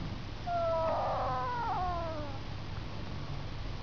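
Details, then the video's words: Snoring from a duck asleep, heard as a single long whiny, harmonic tone, level at first and then sagging lower before fading; quiet steady room noise underneath. "Snoring Duck"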